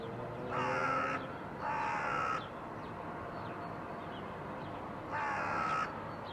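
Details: Crows under a blue sky in 2022 give three loud, harsh caws, two close together near the start and one more after a pause, over steady background hiss.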